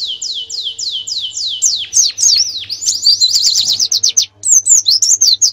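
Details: Master-song canary for training birds before a national contest: five slow, drawn-out descending whistles, then quick buzzy twittering and a run of sharp, separate high chirps.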